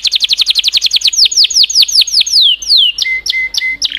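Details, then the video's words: Canary song: rapid trills of short downward-sweeping notes, slowing into longer descending whistles, then a few flat steady tones and a final burst, all high-pitched and loud. "تغريد كناري Chant Canaris singing canaries"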